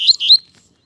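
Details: Young pair of captive saffron finches, offspring of another saffron finch, being shown by their keeper: two quick, high, sharp chirps in under half a second, then silence.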